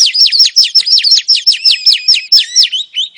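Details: Female oriental magpie-robin calling to lure a male into song: a rapid series of about a dozen sharp downslurred notes, roughly four per second, high and bright, with no other sounds.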